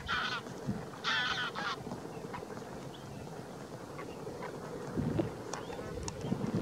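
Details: Among thousands of greylag geese and demoiselle crane at Didwana, Nagaur, Rajasthan, India, two loud harmonic honking bursts open the scene, followed by fainter scattered calls from the flock over constant low background rumble.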